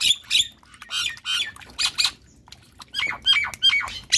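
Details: Caged Javan myna of the semi white-eyed type, lively at bath time: a rapid string of rasping, squawky chatter notes, some with short downslurred whistles mixed in, coming in close clusters.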